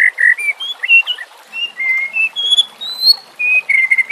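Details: White-rumped shama training song, combined fill: a loose string of clear whistled notes stepping up and down in pitch, some slurred, others flat, delivered at an unhurried, irregular pace.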